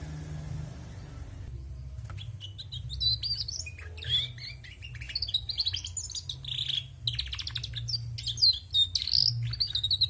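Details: Female canary chattering: after a quiet hum-filled start, a dense, rapid jumble of high twittering, buzzy trills and thin whistles runs on for about seven seconds.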